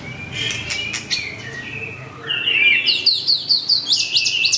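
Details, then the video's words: White-rumped shama with a curved tail, unloading its song repertoire to call a rival: harsh clicking notes and a rising whistle, then a rapid series of bright, sharply repeated chirps. "Murai batu ekor lengkung muntah materi panggil lawan"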